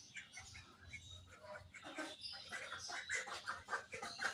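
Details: Pet budgerigars chirping in the morning: a busy, overlapping chatter of short twittering and squeaky notes from several birds, with a steady low hum underneath.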